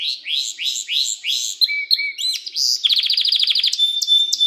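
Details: Caged canary singing for training young canaries: rising swept notes repeated about three per second, short flat whistles, then a fast rattling trill and a high steady tone.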